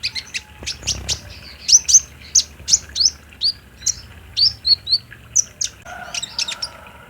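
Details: Olive-backed sunbird singing, used to coax a caged sunbird to respond. Rapid high chips are repeated about three times a second, with short slurred notes and a brief low thump early on.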